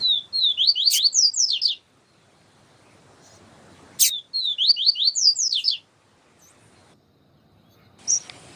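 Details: Yellow-bellied seedeater song, a caged male used as a training tutor while a female calls to stimulate him. Two bursts of quick, sweeping, whistled notes, each under two seconds, separated by silence and sharp clicks.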